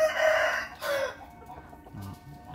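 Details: Morning crow of a bantam rooster: a loud harmonic burst in the first half-second and a second short note, trailing into a quieter murmur of background noise and low sounds.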